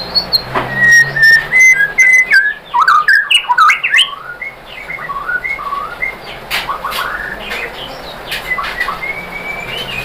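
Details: White-rumped shama song played to stir other shamas into singing: varied whistles and chirps early on, fading later into softer, scattered whistled notes.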